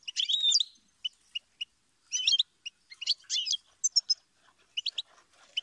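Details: Goldfinch song with a liquid twittering opening, then spaced single chirps, buzzy clustered notes and a few thin, very high whistles, separated by short silences.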